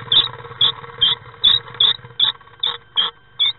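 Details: A Common swift gives short, shrill, buzzy screams, about nine in under four seconds at a quick, uneven pace, over a low steady hum. A partner arrives at nest box 9 on 5 May 2016, joining a swift present since 30 April.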